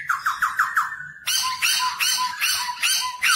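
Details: Black-throated laughingthrush singing and dancing, used to help young birds learn to sing: a quick series of falling whistles, then loud harsh squawking bursts repeated about every half second.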